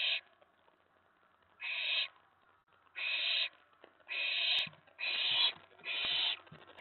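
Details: Excited owlet inside a nest box late on the night of 19 May 2017, reacting to an owl landing on the tray after a mouse delivery; five rasping hiss-screeches, the later ones coming in quick succession, with faint knocks beneath.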